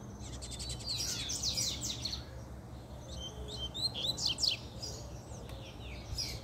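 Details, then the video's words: Male double-collared seedeater in a fiery, excited mood singing a fast run of high sweeping and buzzy chirps in bursts, with pauses between phrases and a low steady hum in the background. "PUXADA DE COLEIRO, ESSE ESTÁ FOGOSO!!!"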